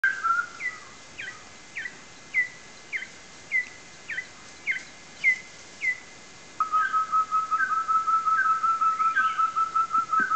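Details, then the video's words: Orange-necked partridge in Tan Phu, Vietnam, giving short, slurred whistles about twice a second, then a faster run of lower, evenly repeated whistled notes. "Orange-necked Partridge"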